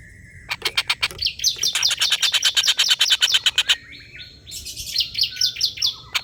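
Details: Collared kingfisher giving a long laughing call, used as a song tutor for competition birds: a fast run of harsh, loud, repeated notes for about three seconds, followed by softer, higher chattering notes.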